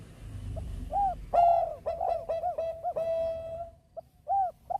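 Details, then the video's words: Bangkok-type zebra dove in full song, used to prompt other birds to join in: a rapid run of soft, arched, hollow coos, closely spaced and rolling, ending in a few separate coos after a short pause. "Perkutut bangkok gacor MEMANCING BUNYI Burung Lain IKUT BUNYI"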